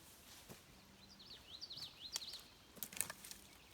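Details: On June 20, in a nature sanctuary wetland with meadows and a beaver pond near Lily Lake, a common yellowthroat sings faintly in the distance, a quick run of rolling, up-and-down high phrases. Sharp clicks and footsteps break in close by.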